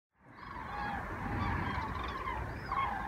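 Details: Cranes migrating south in large groups over Osnabrück, Germany, in early November, calling in flight: loud trumpeting honks with layered harmonics, overlapping calls from several birds, over a low rumbling background.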